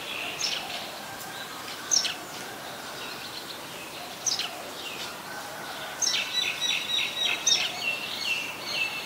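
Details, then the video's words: Scattered sharp, high chips are followed by a fast, rattling run of repeated chattering notes. White-vented myna, recorded in Ubon Ratchathani, Thailand, 18 January 2021, with steady outdoor background noise. "นกเอี้ยงหงอน หรือนกเอี้ยงดำ (White-vented Myna)"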